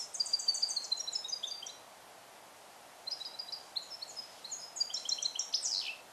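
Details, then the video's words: Captive-bred European goldfinch, hatched in 2021 and song-trained in the Neapolitan style, recorded alone in a small carrier cage; two bursts of high, rapid twittering notes and trills, separated by a short pause. "Cardellino Passata Napoletana 2021 - KH24 - European Goldfinch - Jilguero cate limpio"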